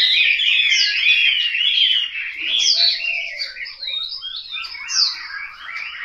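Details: Chinese hwamei (Garrulax canorus), a kept cage bird in Hanoi, sings a loud, unbroken run of rich, varied whistles and slurred phrases, high and fast, with a faint lower warble underneath.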